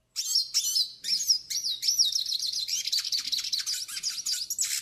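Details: Hooded siskin of the northeastern form, singing a training and warm-up song: a fast, continuous twittering of high, sliding whistles and buzzy trills with short choppy notes at the start, with no other sounds.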